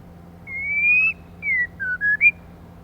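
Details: White-rumped shama female, kept to stimulate males, whistles a long rising note, then a short falling one and a quick run of three brief pure whistles ending higher.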